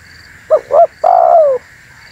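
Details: One spotted dove phrase, used as a lure for wild tekukur: two brief hoarse coos in quick succession, then a long smooth coo that falls gradually in pitch, with a constant faint electrical hum behind.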